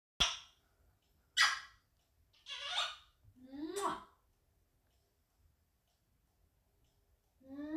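African grey parrot mimicking a train ride: sharp hissing bursts, a rattling chuff, then rising whistled and slurred tones, each sound about a second apart.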